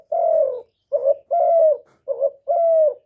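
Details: Spotted dove (cu gáy, cu đất), a kept bird used as a lure to stir other doves to call, recorded close without background noise: low mellow coos, alternating long slightly falling notes and short double notes, about five in three seconds.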